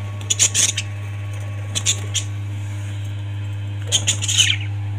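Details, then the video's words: Parrots calling in three short bursts of high, sharp chirps and squeaks, with quiet gaps between them over a steady low hum. "Parrots 🐦 Sound"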